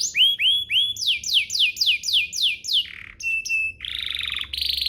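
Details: Canary song used as a lure so other canaries start singing: repeated upward-curving notes, then a series of falling swept whistles, a short low buzz, flat whistles and a harsh rattle.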